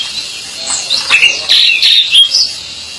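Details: Pied bushchat, locally called decu, in lively song: a quick jumble of high, bright chirps and short sliding whistles packed into a few seconds, growing louder toward the middle.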